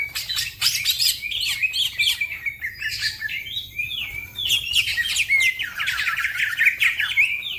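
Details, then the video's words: Green leafbird (green cucak) singing a fast, varied stream of high chirps, whistles and slurred trills, with other birds chattering alongside. "The green cucak bird makes noise, other birds also become gacor"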